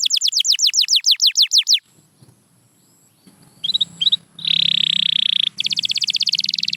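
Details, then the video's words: Canary delivering a quick series of falling whistles, then a pause with faint background hiss. The bird resumes with short clipped notes and a loud, sustained buzzy roll, closing on rapid repeated notes. "Watch Silent Canaries Start Singing Again"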